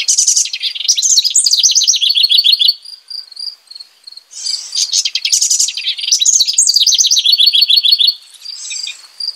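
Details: House wren (Troglodytes aedon) singing its bubbly nesting-season song: two rapid songs of high chattering notes and cascading trills, with a brief quiet pause between them.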